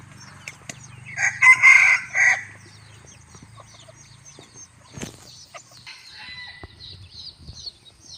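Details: Bantam rooster on a hot evening gives a loud, coarse crow of about one second in pulsing segments, followed by a sharp click, quieter rustling, and thin high chirps from other creatures.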